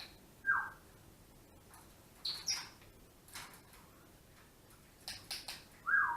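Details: African grey parrot taking a shower gives short, harsh squawks and a few high whistles scattered over six seconds, with a steady hiss of running water behind.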